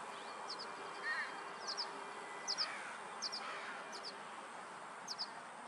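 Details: A young violet-green swallow fledgling with a bad eye gives thin, high double chips at an uneven pace, about one every second, over steady hiss; a lower chirp sounds once early on.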